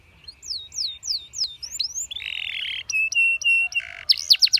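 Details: Canary delivering varied phrases to coax other canaries into song: a few spaced falling whistles, a buzzy sustained tone, evenly spaced sharp pips, a low rasp and a final cluster of high rapid notes.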